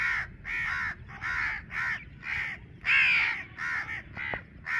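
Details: Crow chick with parents noisy outside: a steady run of rasping, hoarse caws, about two per second, each short and harmonically rich, with one louder, higher call near the middle.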